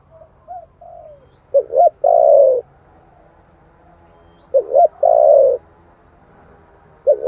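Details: Giọng thổ style song of a spotted dove, used as a lure for wild birds. Soft falling notes open, then two full phrases of twin short hoots and a long resonant coo, with a third phrase starting at the end.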